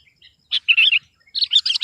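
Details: Short burst of sooty-headed bulbul song meant to pressure an opponent: a quick chattering phrase, a brief pause, then a louder, tumbling run of bright chirps.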